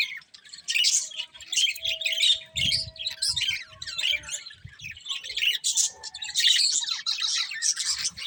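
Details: Several budgerigars kept as pets chirp and chatter in rapid, raspy bursts, with harsher squawks mixed in and a few soft low bumps beneath.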